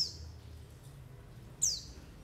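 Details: White-eye call used as a lure for trapping wild birds: two thin, high, downward-sliding chirps about one and a half seconds apart, over a low steady background hum.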